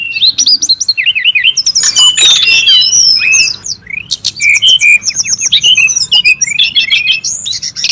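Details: In the wild, a noisy brown-chested jungle flycatcher used as lure and tutor sound gives a nonstop stream of high, twisting whistled notes, quick zigzag slurs and chirps with hardly a pause.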